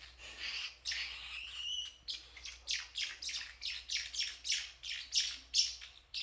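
Blue parrotlets give harsh, buzzy chirps, a few drawn-out squawky notes first, then a quick series of about two to three sharp chirps per second.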